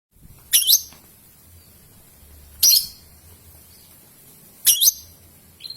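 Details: Young lovebird recording used as a lure so other young lovebirds sing long ngekek and ngetik; three shrill, high chirps with sharp bent sweeps, about two seconds apart, over a quiet low hum.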